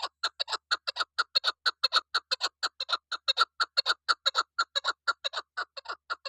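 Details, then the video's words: Chukar partridge calling, named as a female; a rapid clucking series of harsh notes repeated about twice per second, steady and evenly spaced throughout, with no other sounds. "Madi FemaleChakor"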